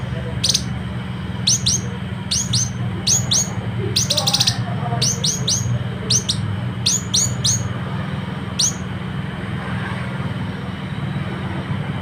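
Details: Citrine canary-flycatcher from West Sulawesi, a training song for competition birds: repeated pairs and triplets of high, steeply falling chirps spaced about a second apart, with a steady low hum throughout.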